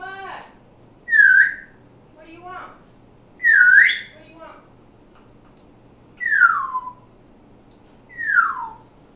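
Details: Pet African grey parrot singing and talking, giving loud whistles that rise then slide downward, four of them roughly every two and a half seconds, with softer mumbled speech-like sounds between.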